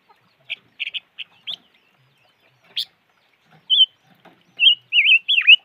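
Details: Silver-eared mesia: quick clusters of short buzzy chips, a single sharp tick, then a flowing phrase of wavering whistles ending in a steep downward slur.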